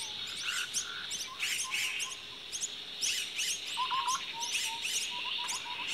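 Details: Common myna with chicks at the nest: bursts of rough high chirps and harsher buzzy notes, irregularly spaced, mixed with short low whistles and a steady high background drone.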